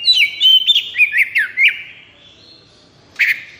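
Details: Oriental magpie-robin (kacer) singing in 'konslet' breeding and emotional peak; quick run of bright whistled notes sliding between pitches over under two seconds, then quiet and one harsh closing note.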